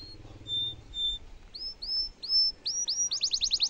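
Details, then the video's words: Canary song in the cengkok mewah style: two thin whistles, then evenly spaced upswept notes that quicken into a rapid rising trill; a low hum sits underneath at the start. "kenari gacor cengkok mewah bikin lawan langsung nyaut dan efektif buat masteran kenari paund"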